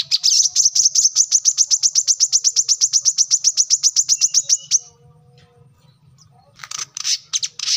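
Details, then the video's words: Kolibri kelapa (brown-throated sunbird) sings energetically in a tutor recording for training birds: a long, rapid trill of high, sharp notes lasting nearly five seconds. After a pause comes a rougher, noisier burst of notes. "kolibri kelapa | manggar | wiceh | korlap gacor"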